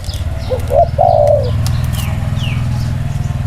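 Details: Spotted dove, one of two birds set side by side to compare their 'inner-circle' cooing style: two short soft rising notes, then a longer drawn-out falling coo, over a steady low rumbling hum.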